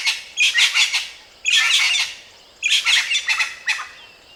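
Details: Strong-voiced crested francolin giving loud, harsh, scratchy phrases in three separate bursts about a second apart, each burst a quick cluster of rasping notes.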